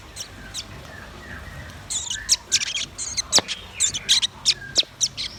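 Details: Red-billed nuthatch and white-rumped shama singing steadily: quiet start, then rapid sharp high chirps and clicks, roughly three or four per second, irregular in spacing, with a low steady background hum.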